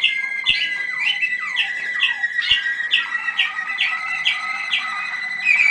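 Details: Young Waterslager (Malinois) canaries at their 25 November 2010 listening session: a sustained clear tone under regularly repeated bright chirps, early descending slurs, and a few sharp clicks in the background.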